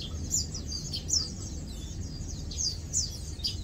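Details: Lowland white-eyes feeding and preening give sharp, very high descending chirps in little bursts roughly every half second to second, over a low background hum.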